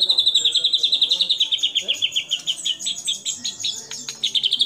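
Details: White-rumped shama in full song, used as a lure to set other shamas singing: a fast even string of about twenty bright whistled notes gently falling in pitch, then varied sharp high chips and trills.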